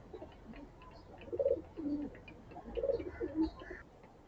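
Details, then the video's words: Morning feeding of hungry pigeons: low, throaty cooing rolls in two phrases, each a few pulsing notes with a brief dip in pitch, against a quiet background. "अलग-अलग प्रकार की ध्वनि सुनने को मिल रही है। कभी धीमी गुटुगू तो कभी सावधानी की आवाज तो कभी मातृत्व की आवाज"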